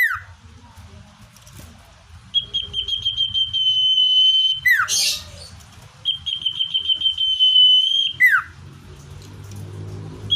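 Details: Natural common iora song meant to attract wild birds: trains of rapid pulsed notes, roughly three per second, merge into prolonged steady whistles. Each phrase ends in a falling slur, and a harsh burst is heard once.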